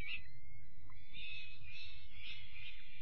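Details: Young peregrine falcons fed dinner on 5 May, a continuous thin wailing squeal that wavers and thickens into harsh chatter, over steady low background rumble.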